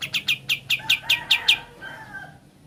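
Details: Ngebren-style song of a sooty-headed bulbul: eight sharp, bright chirps repeated steadily about five per second, then fading lower murmuring notes over a faint background hum.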